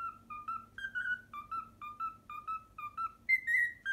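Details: Learned Pythagora Switch opening tune whistled by a domestic cockatiel: rapid chain of clear, slightly rising notes repeated at a lively pace, closing with a higher, longer sweeping whistle; quiet indoor background.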